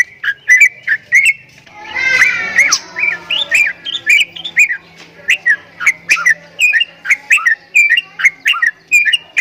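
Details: Unusual sounds from a Javan myna: sharp whistled chirps, then a brief buzzy, rasping burst, followed by a steady series of clicky rising chirps about twice a second.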